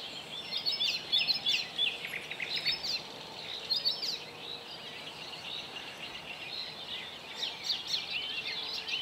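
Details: Icterine warbler (Hippolais icterina) singing at Zbiornik Joachimów Mogiły on 27 May 2017: a fast, rambling, chattering song of scratchy notes and clear whistles, running without pause, over a low hiss of outdoor noise.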